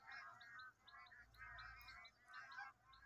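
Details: A large flock of bar-headed geese in the Eastern Range of Kaziranga National Park, India, where they winter, keeps up an overlapping chorus of nasal honks in rough bursts about every second, with a few higher chirps.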